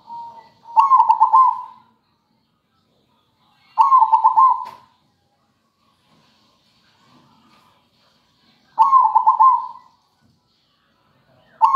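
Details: Zebra dove in full song, used as a lure to train other birds, giving short bursts of rapid, bubbling, mid-pitched coos about every three to five seconds, with silent gaps between phrases.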